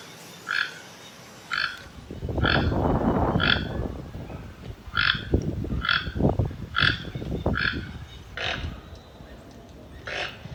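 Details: Toucan croaking in a fast run of short, rasping notes while heavy low rumbling and thumping noise, like wind or handling, sweeps through the middle of the recording.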